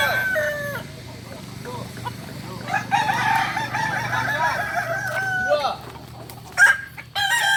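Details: Practice gathering of kukuak balenggek roosters in Solok: a short crow opening, then a long, loud multi-note crow with rising and falling steps over several seconds, a pause, and sharp calls near the end amid hum.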